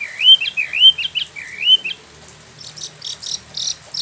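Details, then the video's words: Caged Spot-throated babbler (Wambi Mini) in Bandung, West Java, Indonesia, imported from mainland China or Vietnam, kept about a year and freshly moulted, singing its rolling ngeroll song: three rising whistled slurs, then short buzzy bursts. "Wambi Mini / Tieu Mi (Pellorneum albiventre) ngeroll"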